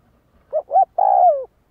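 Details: Spotted dove used to train decoy birds: a single phrase of two brief upslurred coos and a drawn-out falling coo, with a near-silent background.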